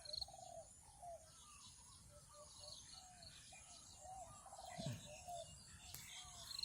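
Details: Spotted dove calls: low, soft, repeated coos about once a second from a trained decoy dove and a wild territorial dove near a neem tree, with thin chirps from 3-4 fledgling doves above.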